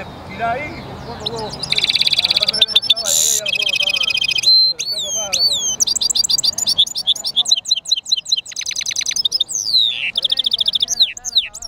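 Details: A European goldfinch mule bursts into loud song after a quiet start: dense high trills, a harsh buzzy rattle, upslurred whistles and fast chattering twitters run on for about ten seconds.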